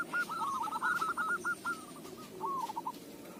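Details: Local zebra dove singing, a song used as a lure: a fast string of short, mid-pitched cooing notes that slows into a few spaced, slightly longer coos, over a low background rumble.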